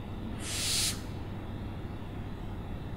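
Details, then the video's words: A short, harsh owl screech near the start, about half a second of raspy hissing, then only quiet low-pitched background noise. "OWLS SOUNDS"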